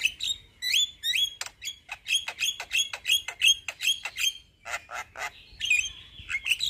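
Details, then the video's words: Male Javan myna pouring out a long rolling song: fast series of squeaky, upslurred whistled notes repeated about twice a second, mixed with harsh clicks and a short buzzy whistle near the end. "Jalak Kebo Jantan gacor Ngeroll Panjang"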